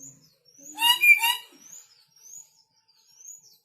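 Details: Aggressive red lory, newly arrived from North Maluku, makes one rough double-pulsed screech, then quiet high whistles repeat about once a second in the background.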